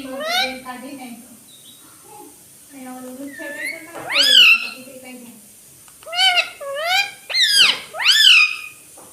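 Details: Pet rose-ringed parakeet saying mummy papa: softer human-like speech at first, then loud, rising, raspy mimicked syllables in quick pairs toward the end.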